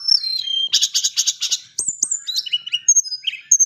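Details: Tame white-flanked sunbird chatters: a falling thin whistle, then a quick run of evenly repeated buzzy notes, followed by high slurred whistles and twitters.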